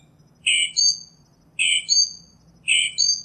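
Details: Northern mockingbird repeating a phrase three times: a harsh, scratchy burst followed by a clear, falling high whistle. The repeats come roughly every second, against a quiet backdrop.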